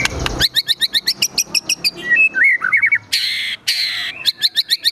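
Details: White-rumped shama in agitated full song, laced with imitations of other birds such as sogon and kunti: fast runs of high sharp chips, then slurred whistles and two long harsh rasping bursts before the chips resume.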